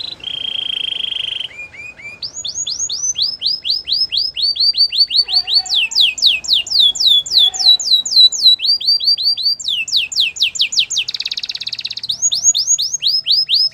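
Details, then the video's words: Belgian singing canary delivering a continuous high song: a sustained buzzy trill opening, then rapid repeated sweeping notes in varied rolls and tours, some about two per second, with a brief rattling trill late on. "The belgian singing canary"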